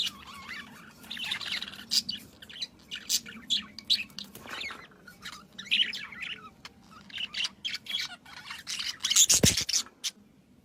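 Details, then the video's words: Morning bird chorus among flowers: steady, irregular high chirps and tweets in rapid short bursts throughout, several birds overlapping, a sharp knock near the end and a low hum underneath. "Birds Chirping in the Morning"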